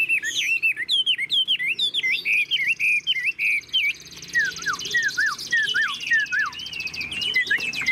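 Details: A caged, hand-tamed Chinese hwamei sings with a fanned tail. Quick looping whistled notes run for about four seconds, followed by a series of separate falling slurs. A faint buzzy trill sounds in the background.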